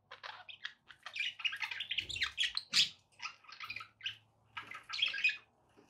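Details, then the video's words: Pet budgerigars warbling almost continuously, a dense stream of rapid scratchy chirps and buzzy notes with a faint low hum behind. "relaxing budgie sounds"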